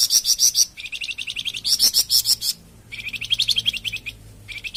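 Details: Flamboyan bird singing, used for masteran training and pancingan prompting of captive birds: dense, continuous, high, buzzy pulsed phrases that repeat in quick bursts with brief pauses, loud and close.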